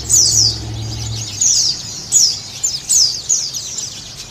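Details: Song of a Sunda white-eye, played to encourage a caged bird to sing: fast high descending chirps in bursts, with a low engine-like hum in the first second.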